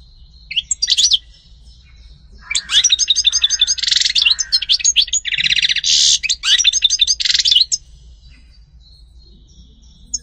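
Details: European goldfinch delivering a long sustained run of rapid, buzzy, rattling phrases mixed with liquid twitters, lasting about five seconds after a few opening chirps.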